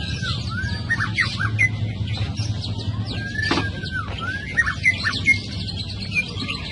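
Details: Young wild forest white-rumped shama in song: scattered clear whistled slurs and sharp chirps, some rising and some falling, over a steady low rumble and broad background hiss.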